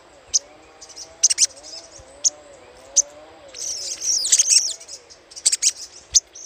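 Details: Little spiderhunter chattering as a lure: isolated sharp high chips at first, then a longer, louder rattling burst of rapid notes, followed by more spaced chips; a soft low wavering hum runs beneath.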